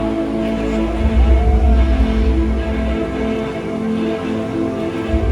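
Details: Steady instrumental music with a low, pulsing bass fills the recording, with no animal voices.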